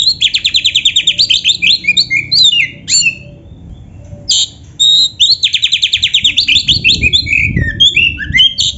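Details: Oriental magpie-robin in energetic gacor full isian song: two long fast runs of rapidly repeated high notes mixed with sliding whistles, split by a short pause, with faint low noise behind.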